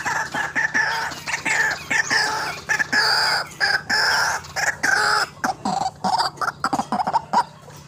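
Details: White-breasted waterhen used to lure birds for trapping: loud, grating croaks repeated in irregular bursts, some notes short and clipped, others drawn out.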